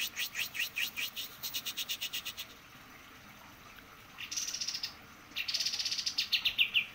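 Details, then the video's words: Rapid, high, pulsing white-eye phrases with many short notes in quick succession, broken by quiet gaps. Later come brighter, sizzling trilled runs. "kapas tembak gacor"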